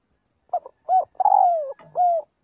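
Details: Spotted dove practising its flock call: a short hooted note, a rounder coo, a long sliding coo that sinks in pitch, then a final clear coo.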